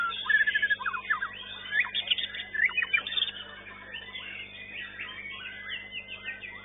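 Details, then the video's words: Young white-rumped shama in a caged bird-singing competition, class Knight A, session 1, placed fifth; rich, fast song of varied clear whistles, rising and falling slurs and short chattering phrases, with busy overlapping notes and faint background hum. "MURAI BATU MUDA"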